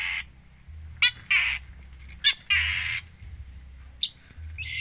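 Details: Long-tailed shrike delivering harsh, grating buzzy notes, each preceded by a sharp click-like note, spaced roughly a second apart, within a lively song said to be full of mimicked material.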